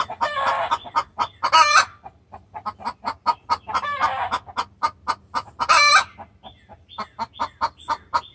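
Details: Hen's distress call aimed at the rooster: quick runs of staccato clucks broken by three loud, grating squawks, then steadier clucking toward the close.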